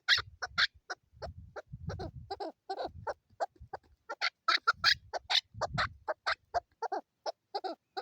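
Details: Female chukar calling: a rapid, uneven run of short clucking chuck notes, some higher and sharper, delivered about twice a second, with low rumbling thumps and handling noise between bursts.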